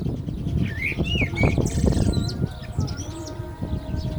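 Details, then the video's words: During the call to prayer, a common blackbird gives fluty, warbled phrases that rise and fall, followed by a thin, high twittering flourish, with heavy low-pitched rumble underneath throughout. "Lovely Black Bird Voice صوت المسوود مع الاذان - طائر المسود مع الاذان"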